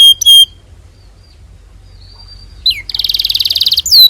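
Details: Canary song used as a training recording for young canaries: a few high whistles, a pause, then a rapid buzzy trill of repeated notes and a final descending whistle.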